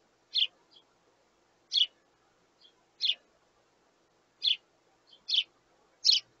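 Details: Sparrow chicks begging their parents for food: short high chirps repeated about every second or so, six clear bursts with a few faint softer notes between them, otherwise quiet background.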